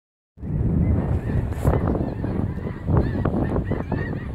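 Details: Thousands of geese migrating overhead in March 2017 above northeast Nebraska, a dense chorus of overlapping nasal honks rising and falling over a steady low rumble of wind.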